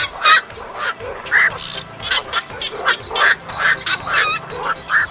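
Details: Night heron lure calls for net trapping: loud, coarse croaking squawks given in an uneven series, roughly two per second, with a soft low hum underneath.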